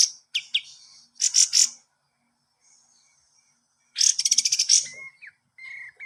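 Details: Kapas tembak master song for training cage birds: scratchy high chatters and quick slurred notes, a pause, a loud buzzy rattling burst, then short level whistles.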